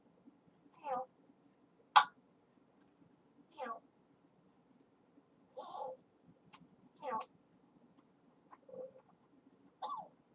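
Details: Grey parrot chattering and talking at home, kept as a pet: short scattered voice-like bursts with gaps of about a second, plus one sharp high squeak, against a quiet indoor background.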